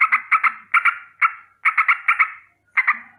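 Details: Morning alarm call of a sooty-headed bulbul: harsh paired notes in quick groups, about two or three per second, broken by brief pauses.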